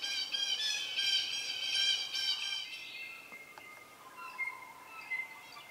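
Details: Young Red-shouldered hawks close to fledging as an adult Southern Red-shouldered Hawk feeds them a snake: a run of harsh, harmonic squeals for about three seconds, then softer thin whistles and faint clicks.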